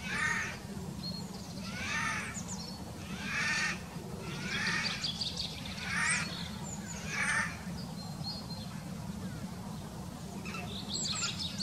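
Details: Eurasian jay, a songbird of the crow family, recorded in 2019: harsh, rasping screeches, loud and broad, repeated in a series of about eight bursts roughly every second, over a steady low rumble of outdoor background noise.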